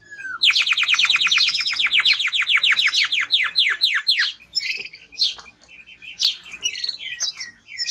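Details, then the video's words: Strong song of a male timbrado canary, opening with a rapid run of sharp descending notes that slow toward the end, followed by scattered high chirps and twittering phrases. "Canary singing Strong Bird - ذكر كناري تغريد نار"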